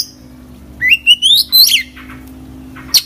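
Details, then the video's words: Oriental magpie-robin singing energetically with imitated phrases: a clear whistle climbing steadily higher in stepped notes, ending in a buzzy squeaky flourish, then a short quiet gap and one final sharp chirp. "kacer gacor full isian"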